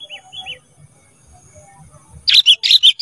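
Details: Kutilang emas singing for cage-bird training: after faint distant chirps, a sudden series of four loud, bubbly chattering notes delivered rapidly at the end.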